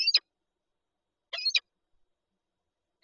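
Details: Peregrine falcons nesting with an egg in Lublin, Poland, 19 March 2022: two high, squealing, slightly wavering calls about a second and a half apart.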